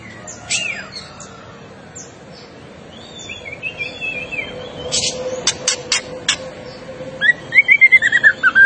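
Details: Agitated white-rumped shama in a recording used to tutor other birds, starting with quiet scattered whistles, then sharp clicks and a loud closing series of quick bright whistled notes over steady hum.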